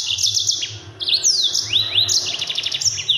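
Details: Yellow-fronted canary (mozambik) singing a rapid, tightly packed training song for other birds: continuous high buzzy trills mixed with swooping rising and falling whistles, loud throughout, a low hum underneath.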